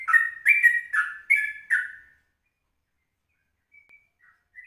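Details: Yellow-vented bulbul singing at 04:30 in the morning, a recording used to lure other birds: five loud, bubbly slurred notes over two seconds, then faint distant chirps after a pause.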